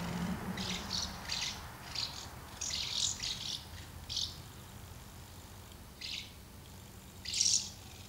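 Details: Many house martins at two nests, feeding and flying out after a brief scuffle, 24 August 2012; high dry chirps in irregular clusters, louder burst near the end, faint low hum beneath.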